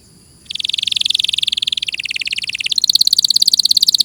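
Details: Canary song, clear tutor recording: a rapid buzzy rattle of high notes that shifts pitch twice, getting louder and higher toward the end.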